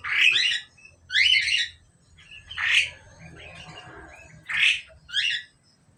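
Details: A pair of Asian pied starlings kept in a cage; loud harsh squawking bursts repeated about every one to two seconds, with quieter chattering between calls and faint low background noise.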